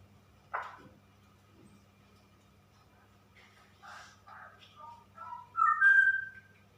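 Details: Female straw-headed bulbul in a cage: after a sharp knock come quiet scattered warbles, which rise into a loud, clear, whistled flourish near the end over a low background hum.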